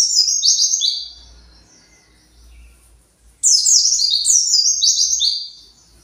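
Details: White-eye kept in captivity, excited and seeking its flock, delivers rapid strings of high descending twitters, one phrase at the start and a longer one after a silent pause of about two seconds.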